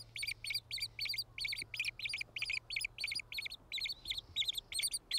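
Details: White-headed Woodpeckers at their nest give high, sharp chirping notes in quick clustered bursts, several each second, over a faint low steady hum.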